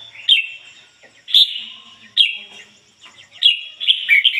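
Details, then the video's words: Red-whiskered bulbul used as a decoy, singing ngoi bổi song in a clean standard voice: four loud clear whistled phrases about one second apart, each opening with a sharp high note and sliding into a sustained tone, the last more warbled. "chim chào mào mồi hót ngoi bổi giọng chuẩn ko lấn tạp ôm"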